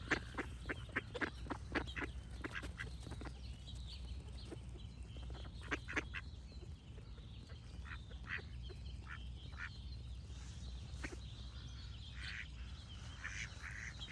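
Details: Ducks quacking in rapid, uneven bursts during the first seconds, then thinning out while songbirds sing thin high notes and a steady low hum runs underneath.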